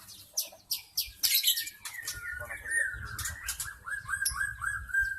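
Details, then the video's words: Wild forest white-rumped shama, lure song for attracting shamas: sharp clicks at first, then a long, smooth whistled phrase that gently falls and wavers, over a low background hum. "SUARA PIKAT MURAI BATU ASLI HUTAN 100% MEMIKAT MURAI BATU AGAR GACOR"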